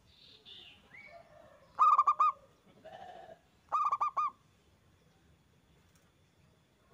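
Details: Zebra dove lure song from a strong-voiced local perkutut: two fast clusters of stuttering coos about two seconds apart, with faint, lower and higher background bird calls before and between them.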